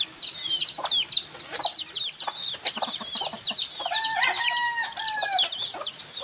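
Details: Baby chickens peeping: rhythmic, shrill, high peeps from several chicks, a few each second, then a lower, steady, drawn-out chicken call rising beneath them near the end.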